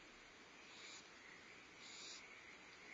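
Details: Barn owl family at a Starr Ranch nest, February 2011, with the mother feeding owlets and the father delivering prey. Two drawn-out airy hisses, about a second apart, rise above a constant background hum.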